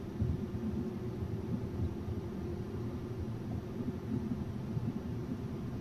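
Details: A continuous deep rumble, like distant traffic or an aircraft, drones on with nothing else standing out.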